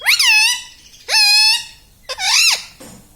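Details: Pet Indian ringneck parakeet, a talking parrot, indoors: three loud harmonic calls about a second apart, each rising then dipping in a wavering squawk.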